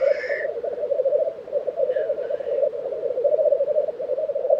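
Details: Continuous low bubbling from black grouse at a lek, Tiveden, Sweden, April 2023, with one hissed sneeze at the start and a softer one midway.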